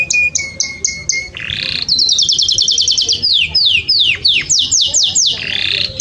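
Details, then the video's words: Canary long song for teaching Belgian canaries to open their rapid song. Rapid whistled trills of repeated notes give way to a fast buzzy roll, then a series of descending slurred whistles, loud and continuous. "Canto Longo Para Canários do Belgas Abrirem o Canto Rápido"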